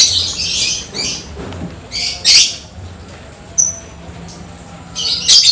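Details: Lovebird singing after rain: scratchy, shrill chattering bursts with a couple of thin high whistles in between and a final harsh burst.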